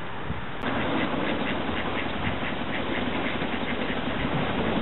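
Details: About a dozen young mallard ducklings on a village duck-pond give rapid, fairly even calls, several per second, over a steady low engine-like rumble.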